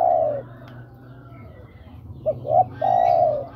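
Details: Spotted dove calling a female, used to lure birds: a falling coo, a quiet stretch, then two short rising notes leading into a long, level coo, over a steady low hum.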